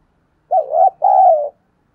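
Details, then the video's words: Spotted dove, praised for its fine voice, in a recording used to prompt a decoy bird to call. One loud coo is heard: a short wavering note followed by a longer, steady, slightly falling one. "chim cu gáy kích bổi nhanh nổi mỗi ngày, giọng hay"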